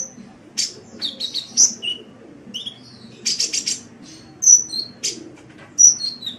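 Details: Sunbird song for training caged birds: thin piercing whistles mixed with lower slurred chirps and buzzy rattling bursts, irregular, roughly one phrase every second or so.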